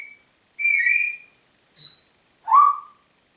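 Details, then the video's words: Congo grey parrot, a pet bird kept in Diebach near Hammelburg, recorded 4 April 2012, giving three clean separate whistles: a long level note, a short high pure tone, then a rising-falling lower whistle, in a quiet room. "Kongo-Graupapagei pfeift pfeifen"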